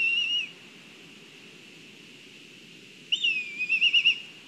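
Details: Black kites at a nest in Kurzeme, Latvia, during a food delivery; a thin whistled note, then a longer whistle breaking into a quavering, trembling series of wavering notes, over steady background hiss.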